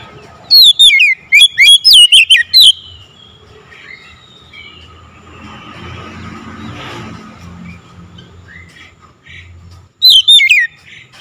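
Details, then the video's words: Loud calling of an Oriental magpie-robin, with a fast burst of wavering, downslurred whistles, a long gap filled with vehicle noise and faint hum, and a second short whistled burst near the end. "KACER MEMANGGIL SUARA LANTANG KERAS"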